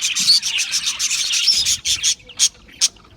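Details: A group of Australian parrots chirping rapidly in a busy, high-pitched twittering burst that stops after about two seconds, followed by a few isolated sharp chirps in a quieter pause.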